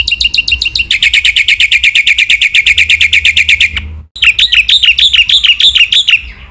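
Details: Training song of a Black-winged myna, full of varied phrases: a long, rapid, even trill of harsh harmonic notes lasting about three seconds, a short silence, then a row of slurred, bouncing whistles.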